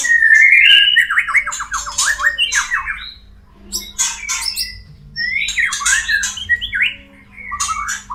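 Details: White-rumped shama (murai batu) song meant to bring birds into breeding condition: steady whistle breaking into rapid falling trills, mixed with harsh raspy bursts, in two bursts separated by a short lull; background hum.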